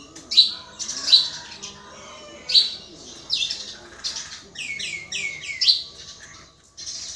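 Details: Common myna alternating sharp high chirps with quick series of short falling whistles, delivered in irregular phrases with brief pauses.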